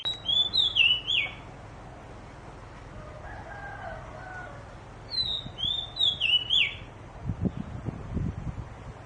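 Oriental Magpie-Robin singing two bursts of sweet, varied whistles with slurred and falling notes, separated by a pause; a faint lower call and some low thumps are also heard.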